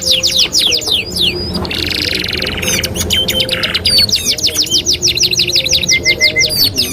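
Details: Master song used to train canaries, mixing two songs: quick high trills and upward-sweeping whistles, a loud buzzy rattle near the start, then rapid evenly repeated chirps to the end.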